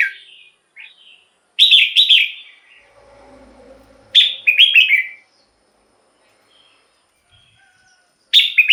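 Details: Red-whiskered bulbul singing for luring wild birds or exciting others. Three loud, bouncy, descending phrases come several seconds apart. A faint low rumbling is heard between the first two, and brief soft notes follow.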